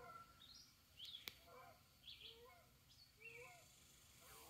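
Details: Red-eyed vireo (Vireo olivaceus) waking and singing at foggy dawn in an Icelandic State Park: short, slurred, fairly high, soft whistled phrases about a second apart, over faint twitters of other birds and steady hiss.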